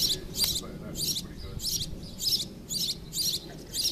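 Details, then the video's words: Rooftop sparrow in Mas Nou, Catalonia: a steady series of sharp, high, twittering chirps, about two each second, over faint low background noise. "A sparrow on the roof in Mas Nou, Catalonia"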